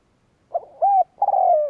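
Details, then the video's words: Decoy spotted dove cooing to provoke rivals; a phrase that is cut short: a short note, an arched coo, and a long gently falling coo, with the closing note missing. "Cu mồi gáy kích bổi chuẩn mới / Chim cu gáy kích bổi nghe là gáy / Cu gáy kích bổi nhanh Sáng"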